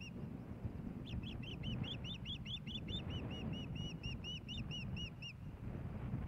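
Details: Osprey at a nest in Hellgate Canyon, Missoula, Montana, 15 May 2016, around a fish delivery; a run of clear, high, slurred whistled chirps repeated rapidly for about four seconds over steady low rumbling background noise.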